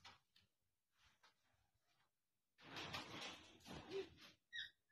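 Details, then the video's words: Cockatoo talking in a harsh, raspy voice for about two seconds, then a brief high squeak, with faint scraping sounds before it. "cockatoo talking"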